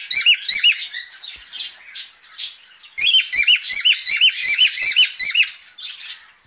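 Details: Mating call of a female cockatiel: fast strings of piercing, slightly warbled chirps repeated in two clear bursts, fading briefly between them, close and loud with little other sound.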